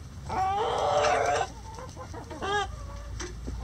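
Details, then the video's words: Rooster in a backyard chicken coop, crowing during light rain. A strong, raspy crow lasts about a second, then a shorter harsh call, with scattered clucks and steady rain noise beneath. "Rooster Crowing In The Rain"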